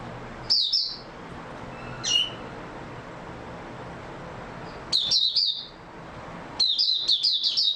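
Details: Oriental white-eye, 3 March 2022: short, sparse high chirps at first, a single lower note, then a longer pause before two fuller bursts of rapid, thin twittering song; low background hum.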